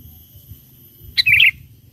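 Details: Vigorous song of a sooty-headed bulbul, played to call in wild bulbuls: a single short, chirpy phrase of a few rapid notes falling in pitch, over a faint low hum.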